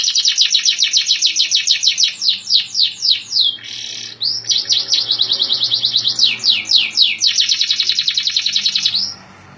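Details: Canary rolling song recorded as tutor material: fast runs of repeated high notes broken by downward-sweeping slurs and a short buzzy burst, then resuming in quick trills before stopping near the end.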